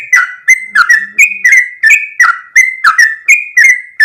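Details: Actively singing sooty-headed bulbul delivering a long rapid song: clear, liquid whistled notes with clicky attacks, stepping between two pitch levels in quick, rhythmic succession, with a brief faint low hum in the background.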